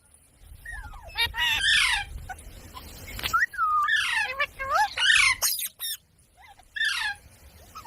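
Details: Parrot producing falling whistled notes mixed with raspy squawks in clustered bursts, pausing briefly between groups of calls.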